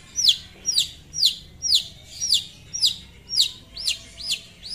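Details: Long-tailed shrike in full voice calling out a rival, giving rapid strident notes that slide steeply downward about twice a second, with the last few turning into arched rise-and-fall notes.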